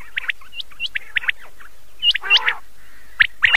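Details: Common quail at night from an old cassette: clipped high chirps in loose series, then a short harsher rasping burst, then a few more bright chirps near the end.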